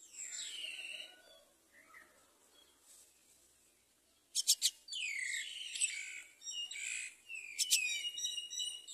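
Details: Common myna mother bringing rice to feed her chick; soft calls at first, then a burst of loud, harsh, squeaky and chattering notes with sharp clicks, rising and falling in bouts.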